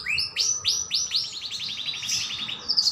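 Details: A white canary sings a bright, high trilling song: a few rising sweeps, then a rapid run of repeated chirps, ending in a fast twitter.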